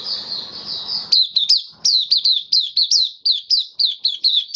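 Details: Caged white-eye in open song on 18 May 2022, recorded after regular deworming treatment. A soft high warble over background noise leads into a long, energetic series of loud, sharp chirps, each falling in pitch, in quick regular succession.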